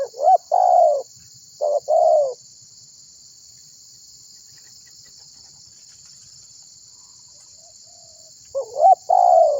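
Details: Spotted dove (tekukur) calling to draw other birds into song: two mellow coo phrases at the start, a long quiet gap with only steady insect buzz, then another rising-then-falling coo near the end.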